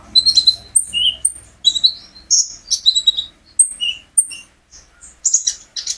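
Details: Brown-throated sunbird (kolibri ninja) from a home keeper, singing to encourage other birds to join in; short separate high whistles and quick chirps, some sliding down, with brief pauses between phrases.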